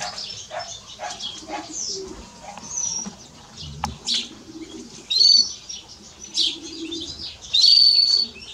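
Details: House sparrow giving bright, scattered chirps at an uneven pace, with a few clearer high whistled notes, over a faint low rumble.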